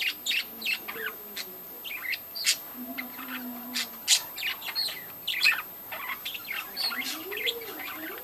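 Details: Scattered sharp chirps and brief warbles from a budgerigar breeding colony, spaced irregularly over a quiet background, with a few low drawn-out tonal sounds underneath.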